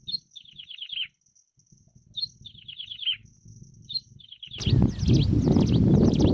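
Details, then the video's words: Plain prinia, called ciblek sawah, singing wild: three descending buzzy trill phrases roughly two seconds apart, then a loud burst of harsh, broadband chatter and rumble takes over the final two seconds. "𝗞𝗶𝗰𝗮𝘂 𝗕𝘂𝗿𝘂𝗻𝗴 𝗖𝗶𝗯𝗹𝗲𝗸 𝗦𝗮𝘄𝗮𝗵 𝗚𝗮𝗰𝗼𝗿 𝗔𝗹𝗮𝗺 𝗟𝗶𝗮𝗿"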